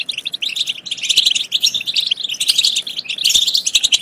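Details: European goldfinch song played to rouse goldfinches to sing and mate, made of lively, liquid twitters and high chirps in overlapping waves with few gaps.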